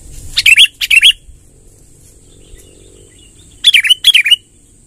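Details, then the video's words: Sooty-headed bulbul giving its long rolling song to lure wild birds: paired bubbly, dipping notes, two at the start and two more after a three-second pause, over a steady faint hiss. "suara tembakan BURUNG KUTILANG NGEROL PANJANG | gacor kumpulkan kutilang liar"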